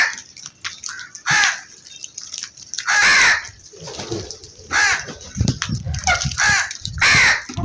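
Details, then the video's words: Crow giving harsh, drawn-out caws spaced irregularly, about four loud calls with softer calling and low rumbling noise in between. "All types of Crow Sounds"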